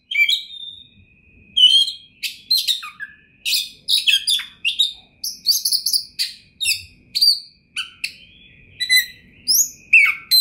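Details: Oriental magpie-robin (kacer) noted as a champion with full material, 2021. Lively song of separate sharp chirps, buzzy notes and whistled slurs, some rising steeply, delivered in a steady stream with short gaps.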